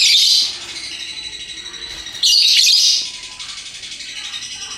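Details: Colourful lovebirds, a hook-billed pet parrot, in 'ngekek' chattering song: two loud bursts of shrill, rasping twitter, one at the start and one after two seconds, separated by softer steady high chirping.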